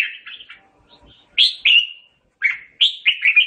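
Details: Sung to summon the flock, the red-whiskered bulbul's phrase mixes soft opening chatter with loud, clear, downslurred whistles and a final burst of quick bright notes.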